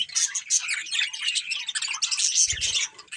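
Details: Budgerigars, a breeding pair, giving busy high-pitched chirps and scratchy warbles without pause, with a brief low knock near the end.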